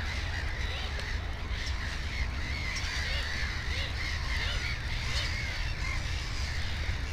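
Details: Black-headed gulls near a nest containing two chicks: a steady stream of short, grating calls, some brief higher arched notes, many birds overlapping above a low droning background.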